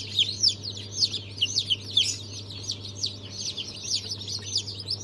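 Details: Fresh hatchlings of several chicken breeds, Brahma, Fizan, Australorp and Legbar, recorded 3 March 2023, utter loud, high, descending peeps in rapid uneven runs, many chicks calling together over a faint low hum.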